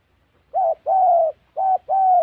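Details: Spotted dove call used for trapping in the wild forests of Gia Lai, Central Highlands of Vietnam: four low, mellow coos alternating short and longer notes, steady and hollow, over a quiet background.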